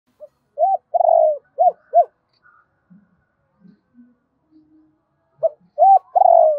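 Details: Spotted dove giving a double-voiced call used to stir and train decoy birds: a short note, rising-falling arched coos, a long sliding coo, then two arched coos, with the phrase repeating after a pause.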